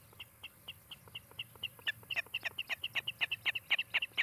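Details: Osprey of a pair nesting in Charlo, Montana, heard from a nest cam on 16 July 2018: repeated short piping chirps, starting softer and spaced, then growing louder and denser, roughly five per second, with faint low background rumble.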